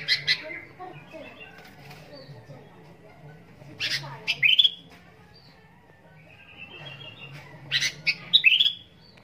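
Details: Kutilang, the sooty-headed bulbul, singing in three separate bursts spaced about four seconds apart, each a quick cluster of bright chirps ending in a rising squeaky slur, with quiet gaps and faint low hum.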